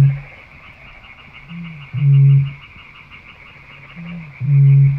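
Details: Booming song of a Eurasian bittern, two deep resonant booms roughly 2.5 seconds apart, each opened by a brief higher gulp, with a continuous thin whine in the background.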